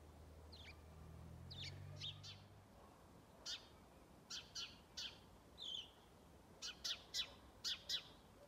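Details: Single house sparrow giving strong calls on Strömgatan, Haga, 21 December 2022: scattered sharp chirps, then a quicker run of loud clipped notes, some in pairs, after a brief low engine-like drone at the start.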